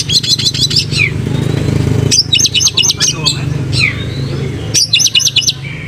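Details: White-rumped shama in a cage, tail spread, sending out short bursts of rapid repeated chattering notes between pauses, over a steady low engine rumble.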